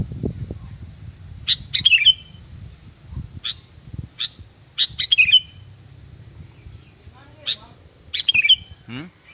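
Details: Sooty-headed bulbul lure song with crisp high notes and several quick, bubbling whistled phrases that dip and twist, separated by pauses, over a quiet low hum.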